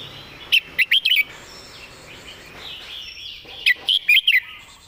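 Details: Red-whiskered bulbul serving as a song tutor, singing two clear phrases of four to five ringing, evenly spaced notes, with soft warbling of other birds continuing between phrases.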